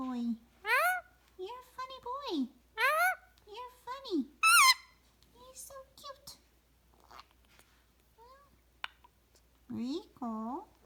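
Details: A pet Indian ringneck parakeet, a recessive pied male, chatting at night before bedtime, gives bursts of swooping, squeaky chatter and speech-like babble, rising and falling in pitch, with a person's voice now and then.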